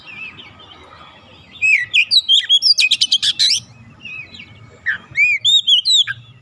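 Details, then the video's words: Oriental magpie-robin, an untrained bird that immediately joins in singing energetically: slurred whistles leading into a rapid rattling series of sharp notes, a pause, then clear arched whistled phrases, over faint low rumble. "KACER bahan langsung ikutan gacor"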